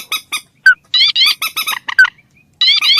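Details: Lure recording of a rail (mandar or pelan) versus tikusan: short squealing upslurred notes in pairs and clusters, a few thin whistles, with brief gaps of silence between groups.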